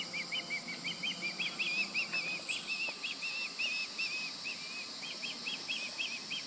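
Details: Fledged juvenile Osprey calling near the nest on 16 July 2020 while an adult on a light pole looks around. Sharp whistled chirps, each rising then dropping, run in a steady string of about two per second over a constant insect-like hiss.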